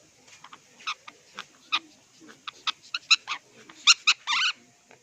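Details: Pet parrots, an Indian ringneck and an Alexandrine playing with roses while an African Grey in the background makes funny noises; a string of short, sharp, high squawks and clicks, unevenly spaced, ending in a longer harsh squeal.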